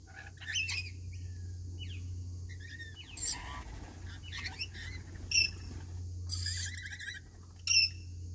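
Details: Rainbow lorikeets at their daily feeding give short, harsh, screechy bursts every second or two, with some thin high whistles, over a steady low hum.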